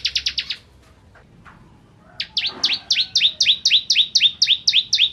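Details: Crystal-type bar-winged prinia in full song, recorded to tutor white-rumped shamas: a short fast chirp run, a brief quiet gap, then a long steady series of downslurred sharp notes, about four each second.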